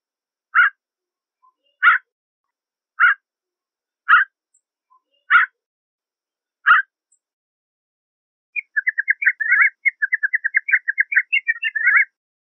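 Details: Canada jay, or gray jay, giving six short, clear notes about one second apart, then a rapid, jumbled chattering series of quick notes lasting several seconds. No other sounds are heard.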